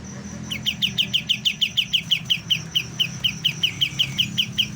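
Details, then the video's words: A juvenile white-shouldered triller practising its song with a long, rhythmic string of crisp, staccato chirps, about four per second, continuing without pause; a low rumble and a thin steady whine sit underneath. "BURUNG KAPAS TEMBAK MUDA, mulai belajar bunyi"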